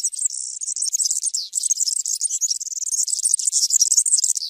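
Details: A serin delivers an unbroken, rapid, sizzling jingle of very high, scratchy notes, the chattering phrases tumbling together without pause for the whole stretch.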